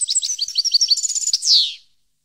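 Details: Song of a European goldfinch from 2015, a fast liquid twitter of varied high notes running into a pulsed trill and finishing with a strong falling, buzzy slur.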